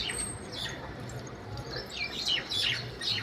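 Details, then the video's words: Mynas fighting in the middle of a street give harsh, squeaky chatters and sharp rising whistles in quick, irregular bursts during the scuffle, over a low background rumble. "Myna Bird Fight"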